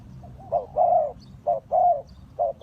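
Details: Spotted dove kept to lure wild birds for trapping, close and clear: mellow paired coos, a quick note leading into a sustained level croo, repeated about once a second.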